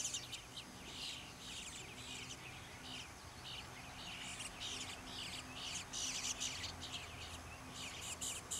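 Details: Young bluebirds begging for food in a back yard in Troy, Ohio: thin, high chirps in rapid clustered bursts, rising and falling in intensity throughout, over a steady low background hum.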